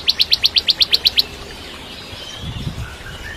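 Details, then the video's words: Singing Bar-winged prinia, 'kristal' style, used to teach a young shama: an even, rapid string of about ten sharp high chirps, followed by quiet with faint low background noise. "Masteran Cimblek Kristal Gacor (masteran murai Batu trotol)"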